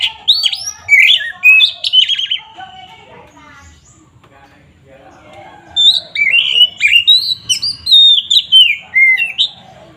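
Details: Oriental magpie-robin in full, aggressive song, used as a lure to make rival birds agitated; loud whistled phrases with slurred rising and falling notes and harsh chattering, two bursts separated by a quiet gap of about three seconds.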